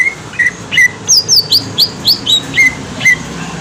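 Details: Lure song of a green leafbird, possibly from Kalimantan, meant to provoke a response: clear whistled notes, some sweeping downward from high pitch, delivered in a quick string over a quiet hum.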